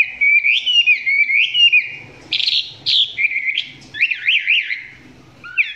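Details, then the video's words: Chinese hwamei singing at close range, still below full intensity. Looping whistles are followed by harsh squeaky bursts, then a run of fast zigzag trills. Faint low background sounds are present. "Quay gần em mi hót chưa căng lắm nhưng tạm chơi được"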